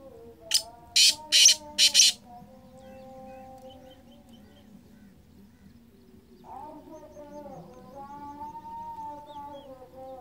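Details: Black francolin known as kala teetar, 2023: four quick harsh, scratchy call notes near the start, then quiet, and later wavering humming tones return.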